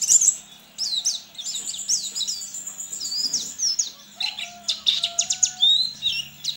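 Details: Competing in an online contest, a caged white-eye from Sambas, West Kalimantan, pours out a continuous, very high twittering song of tumbling chirps and thin whistles that is louder toward the end.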